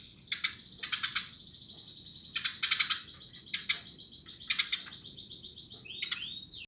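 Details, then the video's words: Eurasian tree sparrow (burung gereja) chattering energetically, with bursts of rapid high chirps at irregular intervals over a constant thin twitter, ending with a few rising and falling notes. "Burung gereja gacor !!!"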